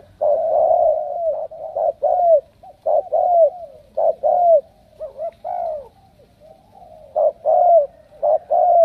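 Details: Selected captive spotted dove calls in a continuous series of soft mid-pitched coos, pairs of short and longer notes, the longer ones curving down at the end; quiet low background noise.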